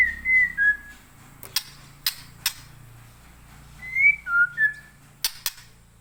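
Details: Caged young white-rumped shama, taken from the wild in Leuser forest, Aceh, Indonesia, and kept after its juvenile moult; clear whistled phrases of two to three gliding notes open and close the stretch, broken by sharp dry clicks between them.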